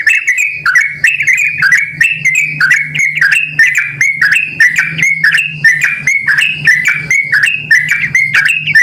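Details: Yellow-vented bulbul in full voice, recorded as a call to bring other bulbuls answering: continuous gurgling whistled phrases of quick up-and-down notes, bright and busy, over a steady faint low hum.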